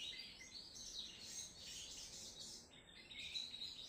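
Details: Crimson sunbird (sogon trotol) singing energetically: a continuous run of thin, high chirps and twitters with quick sweeping notes, ending in sharper, slightly lower squeaks.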